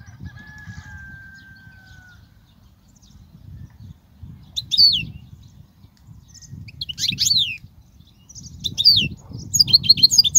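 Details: Singing European goldfinch, song used to teach young birds: a long steady whistle early, then scattered bursts of high twittering notes growing busier toward the end, faint low background noise.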